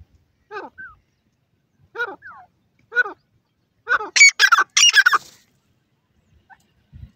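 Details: Grey francolin calling: three short descending squealing notes spaced about a second apart, then a burst of loud, shrill, harsh repeated notes rising high, followed by quiet.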